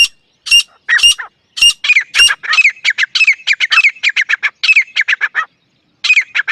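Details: Dakhni teetar partridge giving a loud, harsh, squawking call: rapid runs of rasping notes, some rising then falling, delivered in quick bursts with brief pauses for about six seconds.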